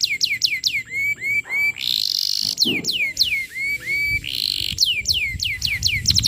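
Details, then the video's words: Canary song played to train young canaries: repeated looping whistled swoops, short buzzy bursts and harsh rasping notes, then more series of falling whistles ending in a fast flurry. "Suara Pancingan Kenari Gacor, Cocok Untuk Materan Paud Kenari"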